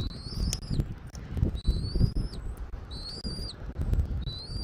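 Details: Eagle at a nest in Southwest Florida, recorded by a nest camera on 13 January 2024 at 14:17; thin, high, slightly rising whistles, four in under five seconds, over a steady low rumble of wind and rustling.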